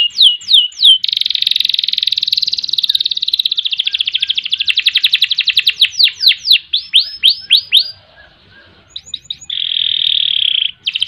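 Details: Canary in long gacor song with ngerek, ngerol and nembak: a few swooping notes, a long dense rolling trill that gradually opens into separate sweeps, brief clipped notes, then a buzzy trill.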